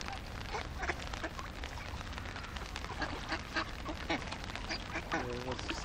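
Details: Fifty hungry ducks calling together in a dense, overlapping chorus of harsh, rapid quacks, many birds at once with no steady rhythm, over a constant low rumble of background noise.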